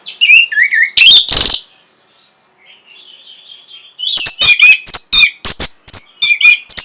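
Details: Orange-headed thrush delivering song to provoke breeding condition and answering: wavering whistled phrases and a loud harsh burst, a brief quiet warble, then a steady series of sharp high notes.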